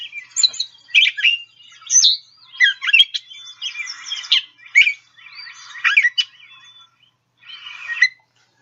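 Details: A Gray Catbird song: a jumbled run of squeaky, scratchy mimicked phrases, each given singly with short pauses between, about one every half second.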